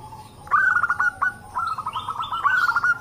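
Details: Zebra doves of the local type calling together to prompt other doves: a brief, loud run of quick staccato coos that builds into a rolling trill, with faint higher chirps behind.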